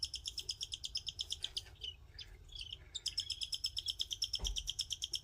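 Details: Cockatiel calls from orphaned babies being cared for by the father: rapid, raspy, high-pitched pulses repeated in long insistent bursts.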